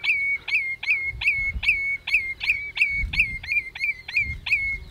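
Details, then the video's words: Common redshank (Tringa totanus) calling at Hüde Ochsenmoor on 27 May 2018 at 07:10: a steady run of about eleven sharp, down-slurred piping notes, roughly two each second, with low wind rumble beneath. "Redshank Call"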